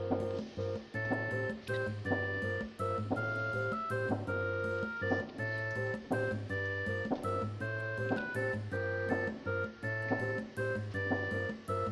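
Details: Only music is heard: steady keyboard or organ chords over a pulsing bass line, with no animal voice.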